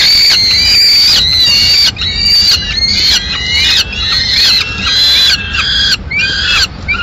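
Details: Peregrine falcon nest, Madrid, 15 May 2016, where the male brings a swift still alive and the female finishes it. Intense, sustained harmonic wailing gives way to choppier, wavering call notes in quick succession.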